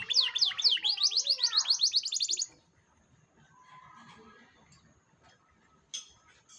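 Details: Lure song of a canary, used to prompt a young canary to sing: about two and a half seconds of fast, repeated, high whistled notes sweeping up and down, then near silence with one brief chirp.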